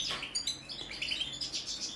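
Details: European goldfinch of the subspecies balcanica, recorded during a song check: a brief burst of high, tinkling twitters and short chirps, fairly faint, with no other clear sounds.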